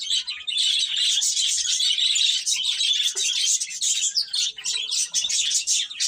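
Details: Baby chickens, chicks, chirping nonstop: many overlapping high, thin peeps in a dense, continuous chorus with no pauses and little else heard.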